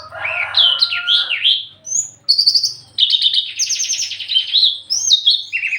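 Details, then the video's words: Javan bush lark in mating condition sings wavering warbled whistles, then dense buzzy trilled phrases and sharp upslurs, over a faint low hum. "branjangan lagi over birahi minta kawin"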